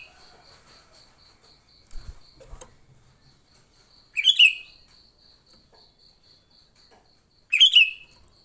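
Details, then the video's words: Fighting sooty-headed bulbul, recorded for luring: brief liquid, chattering phrases about three seconds apart, with soft thumps early on and a steady high electric-like hum throughout. "Suara Burung Kutilang Gacor TARUNG Tanpa isian, Ampuh untuk pikat Kutilang jadikan Kutilang ribut."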